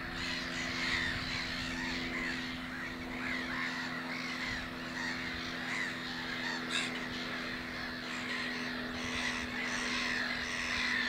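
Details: At Hornborgasjön, nest-building black-headed gulls, one preening during a rest; a sustained, raucous din of overlapping rasping calls, with a few louder bursts and a steady low drone underneath.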